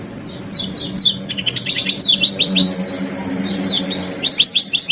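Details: Varied training song of a lemon-bellied white-eye: bursts of high, slurred chirps and short whistled notes in quick clusters, pausing briefly before another rapid series, with a soft low hum behind.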